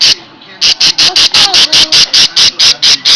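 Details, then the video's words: Caged pet parakeet at home sounding its alarm as someone comes close: harsh, noisy buzzy bursts repeated rapidly at an even pace, about five per second, after a brief pause. "parakeet with an alarm system"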